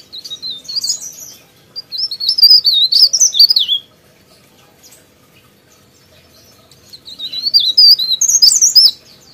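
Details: Sooty-headed bulbul singing in two bursts of bright, warbling, bubbly phrases with quick rising and falling notes, separated by a quiet gap of about two seconds.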